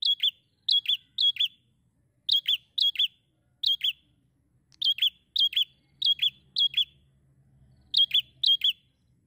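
Bar-winged prinia singing bright, high, sharply clipped notes in quick pairs and triplets, repeated about every second, over a faint low hum.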